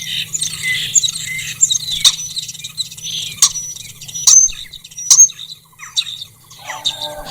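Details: A common starling sings in spring in Ukraine, a species known to mimic other birds and sounds: a jumbled song of whistles, rattles and chatter with sharp clicks and squeaky notes, over a steady low hum.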